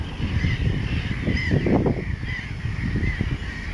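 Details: Mediterranean gull breeding colony on a raft at Montjean-sur-Loire, Maine-et-Loire, France, in July 2013, shared with black-headed gulls and common terns; repeated nasal upslurred calls from many birds overlap above a low rumble of wind and handling noise.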